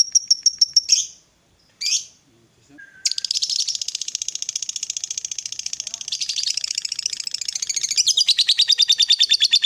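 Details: After a few sharp notes and a brief pause, a fighter lovebird breaks into a long, dense, shrill ngekek chatter lasting about seven seconds. The song is played to make a quiet lovebird sing back.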